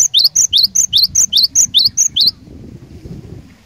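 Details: Cinereous tit lure bird singing insistently to provoke other tits: about eleven bright paired notes, a high steady whistle alternating with a lower bending note, then the song stops, leaving faint low background noise.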